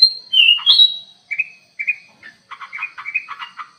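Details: Aviary-kept black-crested bulbul, a lure bird in full song: a loud slurred whistle opens, then quick clipped chirps and a fast rattling run of buzzy notes, with a faint high steady tone behind.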